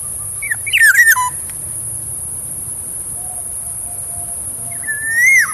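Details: Black-naped oriole giving fluty whistled notes: a quick cluster of rising and falling slurred whistles near the start, a quiet pause with faint tones, then a long drawn whistle that rises and drops sharply at the end, over a low steady hum.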